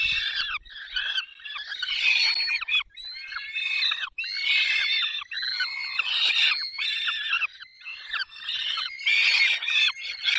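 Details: At a peregrine falcon feeding, Barycz Valley, 20 May 2021, 10:22, raucous overlapping screeching calls come in long bursts separated by brief pauses, with several voices seemingly crying together.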